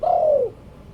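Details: A single mellow coo from a spotted dove kept as a decoy bird. The smooth note holds steady, then glides downward and fades after about half a second, leaving quiet background hum.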